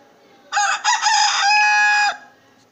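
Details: Rooster crowing once: a loud, harsh, rich-toned crow lasting about one and a half seconds, with two short opening syllables followed by a long, steady, drawn-out final note that cuts off abruptly, against a quiet background.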